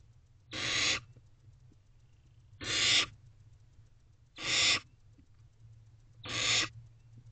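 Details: Barn owl owlets in a nest box at 5:03 am on 16 May 2023. Four harsh, hissing screeches, each under half a second, come roughly every two seconds over a low steady hum.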